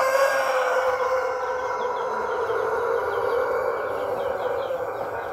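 An Ayam Ketawa rooster gives a long, loud crow with a rough, faintly stuttering texture, held steadily for several seconds.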